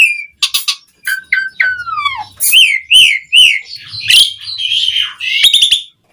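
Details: Asian pied starling song for encouraging other starlings to sing: scattered clicks, falling whistles, then a run of repeated arched whistled notes and a buzzy closing phrase.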